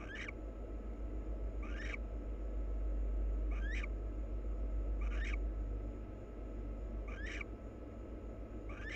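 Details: Two wild barn owls preening each other; six harsh, rasping calls with a rising sweep, evenly spaced about every one and a half seconds, over a steady low hum.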